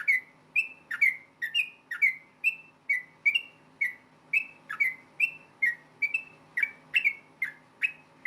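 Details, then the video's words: Rapid fighting-style song of a yellow-vented bulbul, used to provoke other bulbuls into replying. Clear whistled notes, each a quick slur, repeat roughly twice a second in an unbroken string over a soft low background hum. "KICAU SUARA trucukan gacor ROPEL TARUNG NEMBAK ampuh BIKIN agar burung trucuk gacor NYAUT SEKETIKA"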